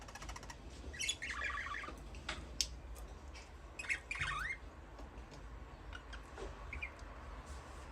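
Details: Budgerigar chirping: warbled, wavering notes in short clusters around the first and fourth seconds, softer scattered chirps after, faint steady hum behind.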